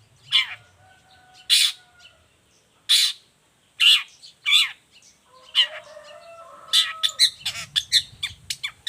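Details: Long-tailed shrike singing energetically, a recording meant for training and luring other shrikes: spaced harsh scratchy notes, then a faster burst of sharp clicks and chips near the end, with faint steady tones in the background.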